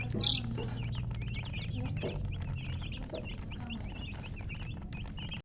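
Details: Chicken chicks chirping: a loud high peep at the start, then a steady train of short, high, slurred chirps roughly four per second, with faint lower sounds behind.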